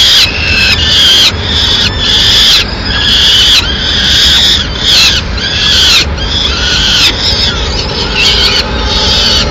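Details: Peregrine falcon chicks, Madrid, begging loudly as their mother brings a small bird and begins leaving them prey to eat alone; strident, harsh squeals in separate bursts about once a second, each with bright harmonic bands.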